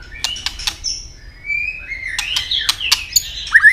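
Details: White-rumped shama giving fighting song with tail snapping: sharp broadband clicks early on, then long whistled notes sliding and wavering at middle pitch, with more clicks and a short bright phrase at the end.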